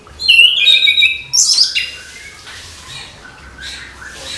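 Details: Morning singing from an orange-headed thrush: a brisk string of bright whistled notes and a harsh, high squeaky burst, then fainter scattered chirps trailing off.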